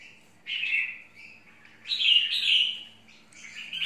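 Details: Two lively phrases from a red-whiskered bulbul, each a quick run of sweet slurred notes with a chattering edge, with a brief pause between them.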